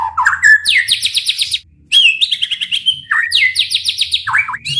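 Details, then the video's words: White-rumped shama pouring out dense song: rising whistles leading into fast rolling trills of repeated upslurred notes, a brief pause, then more trill bursts and quick descending notes over a faint low hum. "MURAIBATU gacor dor full TEMBAKAN ampuh untuk memancing EMOSI murai cepat bunyi | shama bird"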